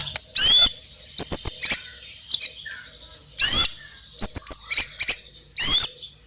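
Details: Champion white-rumped shama with loud, strong spicy fill: harsh rising buzzy notes alternating with clusters of quick high clicks and short whistles over a faint sustained high tone.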